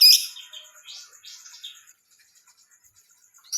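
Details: Female cucak jenggot singing: a loud sharp note opening a run of rapid, high, scratchy chattering phrases, trailing into a faint series of evenly spaced ticking notes before another sharp burst.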